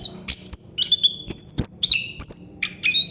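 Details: Chestnut-capped thrush (plontang) in continuous 'ngerol' singing: quick high whistles and downward slurs alternate with loud ticking clicks in a fast, uninterrupted delivery.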